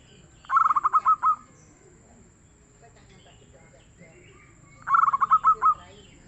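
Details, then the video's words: Two phrases from a local zebra dove in strong, soft-toned song, each a fast run of bubbling coo notes that eases into longer final notes, spaced about four seconds apart against a quiet background. "SUARA BURUNG PERKUTUT LOKAL YANG GACOR DAN EMPUK"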